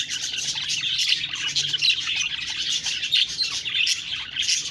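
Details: Several budgerigars chatter in a constant busy mix of high squeaky chirps, buzzy warbles and clicking notes, tumbling over one another.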